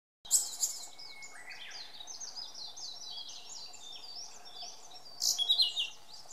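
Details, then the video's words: Blue-and-white flycatcher singing in Maruhishizen park on 26 April 2014: a run of high, clear whistled and slurred notes, some falling and some rising, ending in a louder, brighter burst of quick notes. "丸火自然公園のオオルリ(Blue-and-White Flycatcher in Maruhishizen park)"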